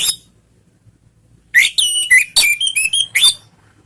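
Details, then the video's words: Orange-headed thrush, used as a lure to make other thrushes answer, giving a quick burst of loud, varied whistled phrases, sliding and trilled notes packed into about two seconds after a brief silence. "SUARA ANIS MERAH bikin ikut NYAUT NGEPLONG ¦ PANCINGAN Ngeriwik"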